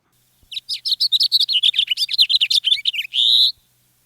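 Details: House finch (Haemorhous mexicanus) song: about three seconds of fast, jumbled, high warbling notes ending in a long buzzy note. No other sounds.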